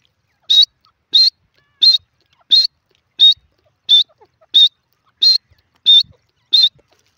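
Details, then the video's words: Francolin giving clear, high whistled single notes, each short and slightly rising, evenly spaced about every 0.7 seconds, ten in a row; quiet background otherwise. "dakhni teetar ki voices 🔥irani teetar ki awaz"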